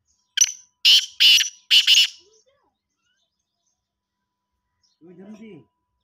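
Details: Black francolin, known locally as kala teetar, giving four loud, harsh, grating notes in a quick rhythmic burst lasting about two seconds. Silence follows, then a brief human voice at the end.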